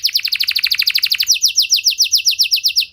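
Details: Canary singing to set other canaries singing: a fast rolling trill that switches after a second to slower, clearer repeated whistled notes.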